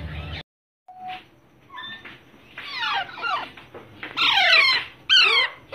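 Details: Rose-ringed parakeet chicks being hand-fed, calling in harsh, rasping, downward-sweeping squawks that grow louder and more frantic in bursts toward the end, with short pauses between.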